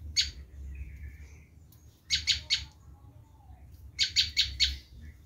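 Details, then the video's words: Screaming call of a Bar-winged prinia, used to lure wild prinias. Sparse clusters of three or four harsh, buzzy notes are separated by quiet stretches holding a faint whistle and a low background hum. "Suara asli prenjak lumut menjerit || sangat ampuh buat mikar"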